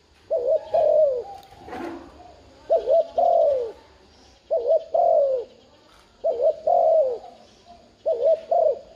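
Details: Spotted dove giving the urging coo used to stir a decoy bird into calling: five low, mellow two-part phrases, each a short wavering note and then a longer falling coo, about every two seconds, with faint background hiss.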